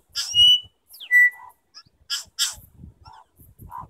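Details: New Zealand bellbirds in a song contest at Gore Bay, New Zealand, trading clear, bell-like whistled notes, some held steady and some slurring downward, with short chiming bursts over a faint low rumble.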